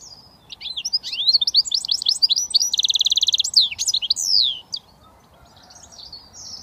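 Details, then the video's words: Goldfinch mule hybrid delivering switty song: rapid sweet twittering and slurred whistles, a rolling buzzy trill, a few downslurred notes, then near silence with a faint note at the end. "Goldfinch mule switty"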